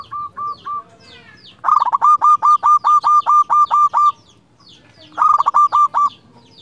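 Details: Master zebra dove, a local bird meant to provoke rival doves into calling: a few soft coos lead into a long loud series of evenly repeated rolling notes, then another burst after a pause.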